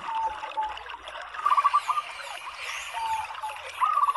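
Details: A female local zebra dove (perkutut) gives short bursts of quick, rolling cooing notes about every two seconds, over a steady trickle of running water. It is played to lure males into singing.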